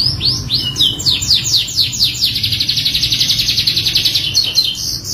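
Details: Pancingan canary song with full isian: sharp descending whistled sweeps accelerate into a fast pulsing trill, holding high and bright, with faint low background rumble.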